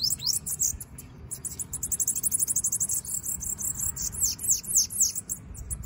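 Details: A free-flying (loose) Bananaquit sings a very high, thin, buzzy run of rapid notes, about four a second, ending in quick downward-slurred squeaks, over a faint low background hum.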